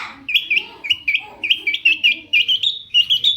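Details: Quick run of short rising chirps, around fifteen in three seconds, from a long-tailed shrike whose song is used to make other shrikes respond.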